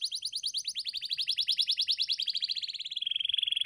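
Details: Canary song for training a pet bird: a rolling trill of quick, slightly rising pulses that gradually descend and end in a rapid, even buzz-like trill.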